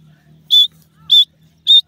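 Pheasant chicks give three short, high, piercing peeps, about one every half second, over a faint low hum.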